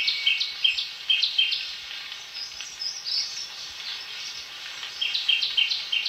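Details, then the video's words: {'caption': 'A shrike-babbler repeats short, bright, down-slurred chirps in fast groups, falling quiet midway before a new burst, against a loud, even buzz of insects.'} "Tiếng chim Khướu Shrike, Khướu mỏ quặp cánh vàng"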